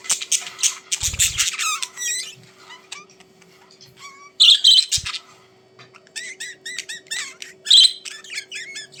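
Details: Pet budgerigars indoors giving bursts of chirpy chatter: rapid clusters of short up-and-down whistled notes, a few louder sharp squawks, and quiet gaps between bursts, with a couple of low thumps.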